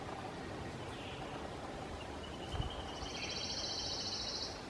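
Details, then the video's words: Male Acadian flycatcher in Liberty County, Texas, May 6, 2017, chattering as he flies: a few thin high notes, then a fast, even, buzzy high-pitched chatter lasting about two seconds, over a low rumbling background noise. "Acadian Flycatcher (Empidonax virescens) Calling, Coughing up a Pellet and Chattering as He Flies"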